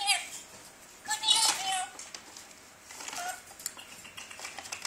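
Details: A two-year-old pet blue-streaked lory playing in a paper bag makes three short bursts of speech-like talking over loud crinkling paper.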